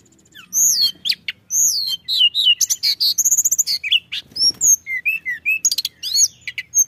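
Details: Lure song of a Pied bushchat meant to attract other birds: a fast, busy stream of high looping whistles, sharp ticks and short trills after a quiet start, with a faint flutter in the middle.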